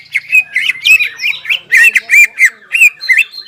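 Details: Greater green leafbird in full song, played to rouse stressed leafbirds that have stopped singing; loud, varied whistled phrases with sharp rising and falling slurs, delivered in distinct bursts about every third of a second, with a faint low hum behind.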